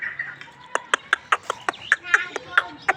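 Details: Hybrid chukar partridge calling: a quick series of short clucking chuk notes, about five per second, each with stacked harmonics, over quiet background.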